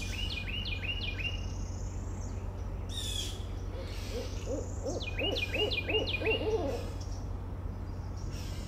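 A barred owl gives a quick run of about six hollow hoots, over a small bird's sharp repeated chirps and a steady low hum.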